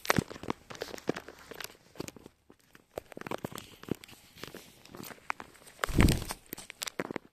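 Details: Indoor crunching, tearing and crinkling noises with footstep-like thumps, a loud knock near the end, and faint speech; no animal voice is heard.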